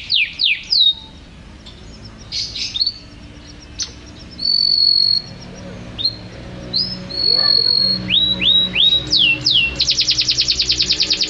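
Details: Unedited canary singing: varied phrases of sharp downslurred whistles, a sustained pure note, rising and falling slides, then a very fast high rolling trill to the end, close and clear with little background.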